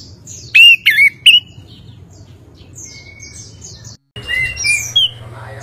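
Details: Orange-headed thrush (anis kembang) in rolling gacor ngeroll song: a burst of three loud whistled, slurred phrases early on, then a brief dropout and a busier stretch of mixed whistles and chirps, with faint high chirping throughout.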